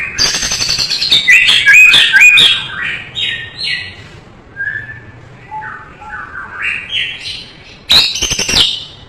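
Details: White-rumped shama tutor song, full and rich: opens with loud rasping, buzzy chatter and bright whistles, then quieter sliding whistled notes, some low and short, before a final harsh burst.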